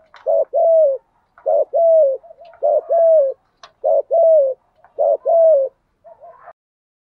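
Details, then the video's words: Spotted dove cooing in repeated pairs to encourage other doves to call. A brief low note leads into a longer, level-then-falling coo, the pair repeated about every second, ending in a softer wavering phrase. "chim cu gay bài bản ra nhiều sách kích thích bổi gáy theo hiệu quả"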